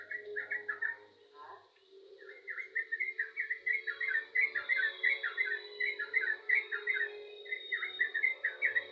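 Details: Yellow-vented bulbul singing lively: rapid runs of bubbly, slurred notes repeated about 87 times a minute, with a brief pause near the start, over a steady low hum and a faint high tone.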